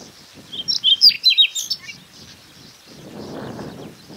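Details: Siberian rubythroat in Hokkaido grassland, May to June, Nikon Coolpix P950 recording: a brief, lively phrase of high chirping, warbled notes lasting about a second, then quiet with wind gusts.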